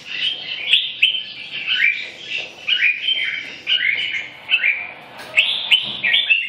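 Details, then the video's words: Red-whiskered bulbul song made of distinct looping whistled phrases, each rising then falling, repeated roughly every second, with occasional faint clicks in the background. "Kênh về chim Chào mào"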